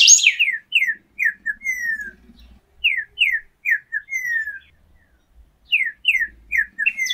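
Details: Whistled song of the golden-billed saltator: a phrase of about six downward-slurred notes ending in a drawn-out falling whistle. The phrase is delivered twice with a pause between.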